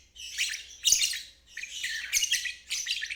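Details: Lovebird 'ngeriwik' trill, used as practice for young birds and birds that have stalled. Four separate bursts of scratchy, buzzy high chatter, each lasting around half a second, with short quiet gaps between.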